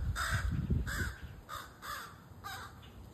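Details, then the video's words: A crow chick gives five harsh, raspy caws in quick succession, roughly two to three per second, over a low rumbling background. "Crow Chick"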